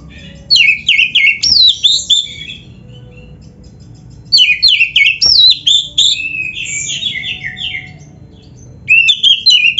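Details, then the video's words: Oriental magpie-robin (kacer) in full 'gacor full isian' song, a tutor recording for training caged birds: rapid bursts of varied whistled and trilled phrases, high and sweeping, broken by short pauses, with a faint low hum beneath. "MASTERAN KACER GACOR FULL ISIAN !! - Suara Burung Kacer yang cocok untuk LATIHAN"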